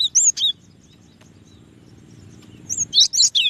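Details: Cinereous tit (gelatik batu) giving a few sharp whistled notes, then near silence over a low hum, then another quick burst of high rising whistles.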